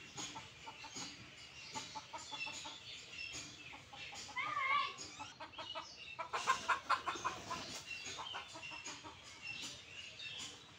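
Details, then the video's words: Junglefowl recorded as natural sounds: a run of short, clipped clucks repeated every fraction of a second, with a louder squawky burst partway through and a couple of brief rising whistled notes, over a steady background hiss. "Jungle Fowl Chickens Natural sounds"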